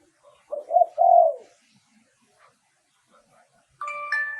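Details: One spotted dove phrase from a decoy song for luring wild doves, with two soft short notes and a longer falling coo, followed by a brief steady electronic-sounding tone.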